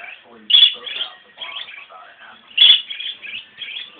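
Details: Two pet English budgerigars, a grey female and a blue male, singing in response to a nature-sounds video: steady chattering warble broken by two sharp, bright chirps.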